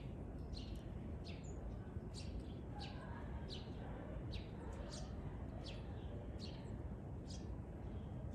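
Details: Pair of white-cheeked starlings calling on 17 February 2023: a run of sharp, high, downward-sweeping notes repeated roughly every half second to second, with a constant low rumble underneath.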